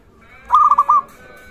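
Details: Local zebra dove calling energetically, used as a lure to raise other doves' arousal: one clear phrase of four mellow, rolling coo notes, the last slightly longer.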